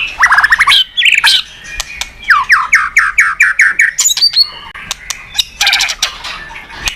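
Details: Loud, energetic white-rumped shama song meant to provoke other birds into singing: sharp clicks and a rapid series of about eight downslurred whistles, then scattered chips and a buzzy burst at the end.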